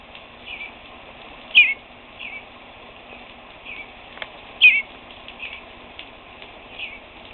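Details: A fledgling baby bluebird at a house screen door peeps persistently. Short, high, slightly falling chirps come every one to three seconds, two of them louder. A faint steady hum sits underneath.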